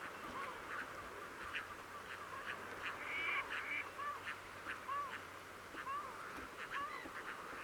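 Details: Crested ducks on the Coyle River estuary, Santa Cruz, Patagonia, Argentina, monitored 18 June; short, low arched notes recur roughly once a second over a steady chatter of quick clipped calls.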